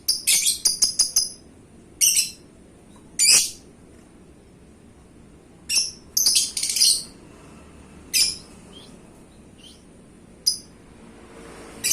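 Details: Champion pet lovebird, paskun type and described as gacor, gives scattered bursts of shrill, high chirps, some in quick clusters, separated by quiet pauses.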